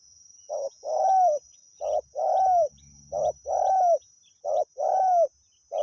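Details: Spotted dove, a wild bird answering during decoy luring, repeats a two-part coo five times: a brief note and then a drawn-out burry coo. A faint low rumble sounds in the middle, with a high steady whine behind.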